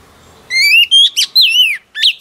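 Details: Female oriental magpie-robin, newly wild-caught, singing to stimulate male birds: a rising clear whistle, then a high sustained note, a sharp chip and a slurred downward warble, with a brief note after a pause in a quiet room.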